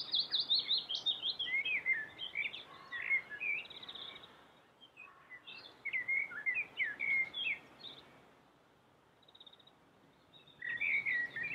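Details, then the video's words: Melodious song of a common blackbird: rapid clusters of warbling, varied whistles in bursts, with quieter gaps between phrases and high thin notes. The phrases resume loudly near the end, over constant background noise. "suara merdu common black bird"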